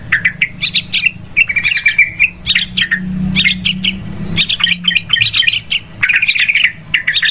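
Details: Yellow-vented bulbuls as a trapping lure, very noisy; spaced bursts of harsh chirps and a short warbled run, with a low motor-like hum in the background.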